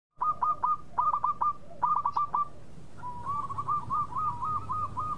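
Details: Local zebra dove singing steadily, used as a lure so rival birds answer quickly. Mid-pitched cooing phrases of several rapid notes repeat about once a second, then give way to a longer rolling trill of linked coos, with low background hum.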